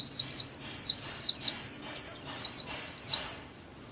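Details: White-eye kept as a pet songbird, solo 'líu' style song used in daily training: a rapid chain of roughly eighteen very high, sharply down-slurred whistled notes over three and a half seconds, then quiet.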